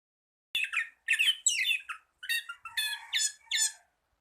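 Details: Orange-headed thrush (anis kembang) tutor recording for training birds reluctant to sing. Harsh, raspy squawking notes in bursts of about half a second, six or seven in a row, with a faint lower hum under the later ones.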